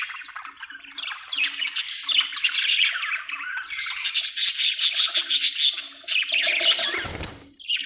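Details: Budgerigars chirping continuously in a dense, busy chatter of warbled, scratchy notes and quick squawks, several voices overlapping, with a brief low thump near the end.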